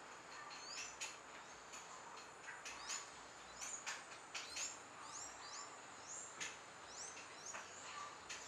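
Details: A perched Scarlet-rumped Cacique in Costa Rica gives thin, high whistled notes, some slurred up or down, scattered irregularly among sharp clicking sounds over a soft background hiss.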